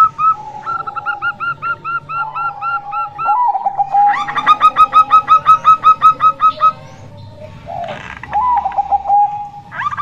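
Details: Local female zebra dove, kept to lure reluctant males: overlapping series of short ringing coos, a softer run then a louder burst of about fifteen quick notes, with sliding lower notes between phrases.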